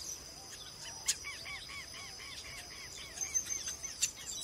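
A chestnut-capped blackbird's song: a quick run of about a dozen arched, slurred notes at mid pitch, over a steady high insect-like hum and a few sharp clicks.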